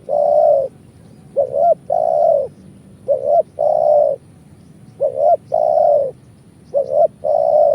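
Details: Spotted dove lure call for trapping, repeated three-part phrases: a brief note, an upward-curving coo and a long level coo, recurring every one and a half to two seconds with quiet gaps.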